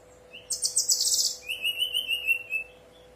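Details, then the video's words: Brown-chested jungle flycatcher in full song, used as a lure to prompt other birds: a burst of high, scratchy twittering, then a long, thin, flute-like whistle held over a second, slowly rising, over a faint steady hum. "Pancingan SRDC bahan biar nyaut dan bunyi, SRDC nyuling gacor"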